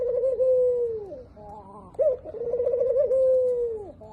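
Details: Spotted dove giving low, drawn-out cooing notes: a steady mellow coo of about a second that drops away at the end, a brief rougher broken phrase, then a sharp accented note leading into another long wavering coo that fades downward.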